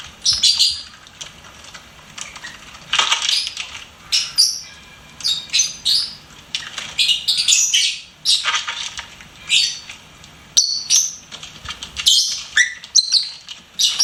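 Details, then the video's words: Pet lovebird singing and chirping, a busy run of high, scratchy, buzzy chirps and squeaks with brief whistled notes, delivered in rapid clusters with short pauses throughout. "LOVEBIRD SINGING & CHIRPING SOUNDS"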